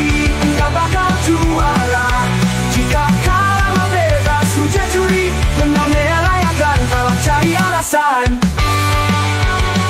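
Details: Loud driving rock music with heavy bass and guitar runs throughout, briefly breaking near the end, with no animal heard.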